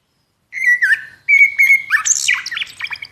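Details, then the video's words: Common blackbird (Turdus merula): two clear, sustained whistled phrases at mid pitch, the second steadier and longer, followed by a squeaky, jumbled twittering flourish climbing much higher; no other sounds. "Suara Burung Sikatan Hitam (Common Blackbird)"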